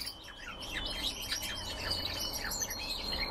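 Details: Red crossbills kept in captivity chirp rapidly, several notes per second, as quick downward-slurred tweets over a thin steady high whistle and faint low rumble.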